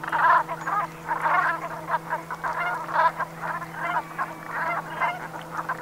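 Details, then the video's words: Flock of Brent geese at sunset in autumn on the Gulf of Morbihan, Brittany, France, 7 November 2021; dense, overlapping guttural calls swelling in waves roughly every second, over a constant low droning hum. "BERNACHES Cravants/Automne/Ambiance Sonore"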